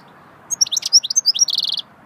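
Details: Single swittey-style goldfinch phrase lasting about a second and a half: quick high sliding chirps running into a fast buzzy trill at the end, with a quiet steady background.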